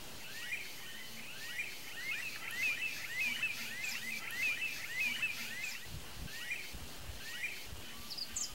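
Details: Resting smooth-billed anis, a sociable species, give short, rising whistled notes, often overlapping, about two per second, over steady background hiss and a few low thumps.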